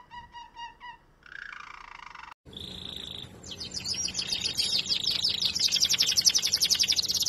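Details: Canary bred for sweet singing, several song snippets: low repeated notes and a falling phrase, a pause, then a steady high whistle rising into a fast, loud, buzzy trill of rapidly repeated notes.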